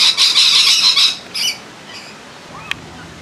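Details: Little corella at Campbelltown wild bird forest, filmed in May 2021, calling out "hello": one loud, harsh, grating squawk lasting about a second, then a shorter raspy note, followed by a quiet background with a faint click.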